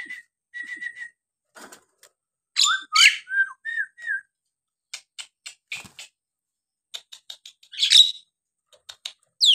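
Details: Nias hill myna in full song, played to provoke lazy birds into singing: sharp ticking clicks, a level whistle, then loud harsh descending notes and short slurred whistles in irregular bursts.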